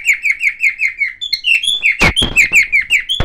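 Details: Silver cockatiel warbling a string of evenly spaced down-slurred chirps, then higher whistled notes, while sharp clattering knocks sound in the background.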